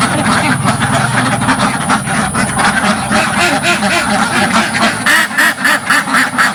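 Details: Dozens of ducks in a village farm pen, recorded from right in front of the pen, quacking loudly and continuously in a dense, overlapping chorus of harsh nasal calls, about four per second.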